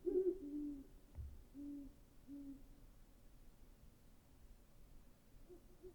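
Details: Great horned owl giving a series of deep, soft, low hoots: a doubled hoot at the start, then two more spaced hoots before about three seconds, followed by quiet background hiss with a faint low thump early on.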